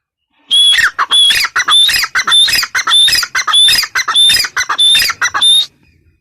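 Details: Harsh, strident calls of a female grey francolin pour out in a long uneven run of about five seconds, each rasping note topped by a high whistled tone, repeated roughly every half second before stopping abruptly.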